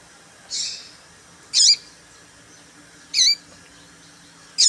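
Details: Female papa-capim call meant to stir males into singing: three short high chirps, the first softer and buzzy, then two sharper notes with falling tails, spaced over a second apart against a quiet hum.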